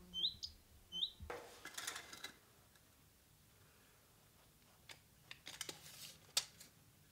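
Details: Common redstart in rural France, heard from inside a building, gives two short, high, upslurred notes about a second apart, then falls quiet among bursts of clattering and scraping noise.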